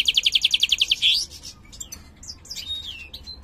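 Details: Mutant European goldfinch of the major form singing in a cage: a fast rattling series of repeated notes ending in an upswept note, followed by softer high twitters.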